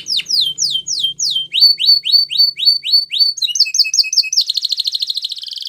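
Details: Spanish Timbrado canary training song with slow sweeping downslurred notes, then a series of rising upslurred notes, a two-tone repeated phrase, and a fast buzzy roll at the end.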